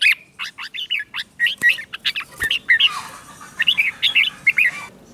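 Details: Red-whiskered bulbul singing in the morning as part of song training, a run of short, clear whistled and warbled phrases around two to four notes each, bright and slurred, delivered rapidly with brief gaps over steady low background hiss.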